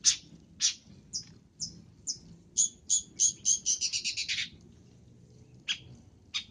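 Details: Long-tailed shrike call used as a lure for catching birds: harsh, scratchy broadband notes about twice a second, then a quick run of roughly ten notes ending lower, followed by two more spaced notes over a faint low hum.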